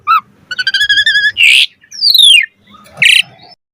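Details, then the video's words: Jalak suren, the Asian pied starling, singing a varied song: a short whistle, a rapid stuttering rattle of tonal notes, a harsh squawk, a long downslurred whistle and another harsh burst. "Jalak Suren Gacor Mompa Full Variasi Ocehan"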